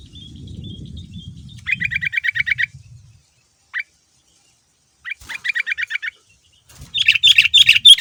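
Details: Chatty lure song of a male sooty-headed bulbul, used to make other bulbuls reply: quick runs of even chirped notes, some lower and some higher, broken by pauses, with rumbling noise at the start and end.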